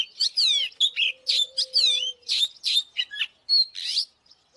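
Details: Oriental magpie-robin lure song meant to rouse a wild-caught bird to fight: dense, loud whistled phrases with curving slurs, buzzy chirps and clear notes in quick succession, with a faint low steady hum underneath.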